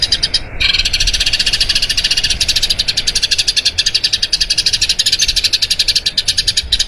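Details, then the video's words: Eurasian tree sparrow in a long roll meant for training other birds: after a brief pause near the start, a fast, even chain of high, sharp chirps carries on to the end. "Masteran Burung Gereja Ngerol Panjang"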